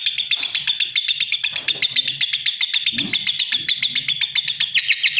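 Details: Lovebird giving a fast, scratchy chatter of high chirps, about four per second, run together into a continuous stream with no pauses.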